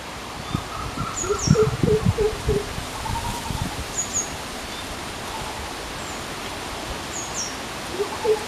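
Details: A greater coucal in forest gives its deep, resonant "oop oop oop" call, about five hollow hoots in quick succession, with thin high chirps from other birds and leaf rustling.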